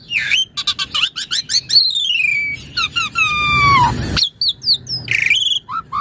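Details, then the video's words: Asian pied starling song used as a master recording for training and luring other birds; varied whistles, long descending slurred notes and harsh rasping passages, with faint low background noise. "Jalak Suren Gacor Auto Bongkar Isian Buat Masteran Pagi/Sore/Malam & Pancingan Burung Jalak"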